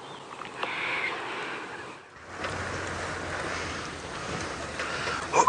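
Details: A sunset safari drive where an engine hums, briefly drops away, then resumes with wind noise and a sharp clatter at the end.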